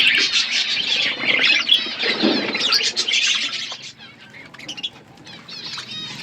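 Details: A flock of budgies chirping while feeding: loud, busy high warbling and chattering for several seconds, then quieter sparse chirps, with some rustling and wing sounds.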